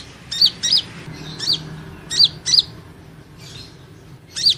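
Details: Van Hasselt's sunbird singing in a training session: sparse high, thin chirps with a quick down-up inflection, given singly or in pairs with long gaps, over faint low background hum.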